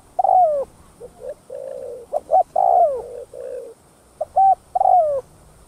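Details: Spotted dove calling to rouse rival doves: a long falling coo, softer stretched notes, then quick double hoots leading into another strong downward coo, all clean and mid-pitched.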